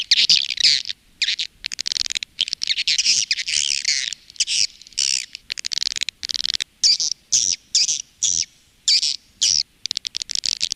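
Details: Calling and roosting sound of swiftlets, a lure used by farmers in Indonesia. Shrill, scratchy twitters are packed into choppy bursts about half a second long, repeated steadily with short breaks.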